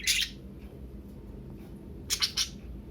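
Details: Pet budgerigars playing indoors, giving harsh, scratchy chirps in short bursts against a low indoor hum.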